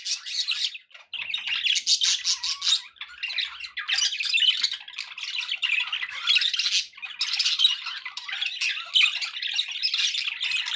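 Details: Budgies kept as pets warble and squawk nonstop, the rapid buzzy notes rising and falling in loudness with only brief dips.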